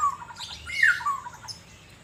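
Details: Asian fairy-bluebird, a kept bird sunning in Banjarmasin, gives a brief run of liquid whistles, rising into a bright slurred note and then falling away, over faint background hum.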